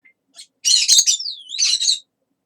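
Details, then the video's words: A talking pet parrot chattering at length: harsh, hissy bursts of mimicked speech sounds, then a smooth whistled slide downward and back up into another raspy burst, all fairly loud in a quiet setting. "長～い Talking Parrot"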